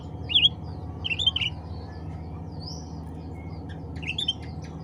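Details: Sooty-headed bulbul calling to others of its kind: a few short, bright chirped notes in quick clusters near the start, middle and end, with a low steady hum underneath.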